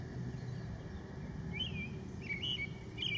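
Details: A leucistic American robin sings a few faint, clear whistled phrases, rising and falling, over a steady low rumble of wind or distant traffic.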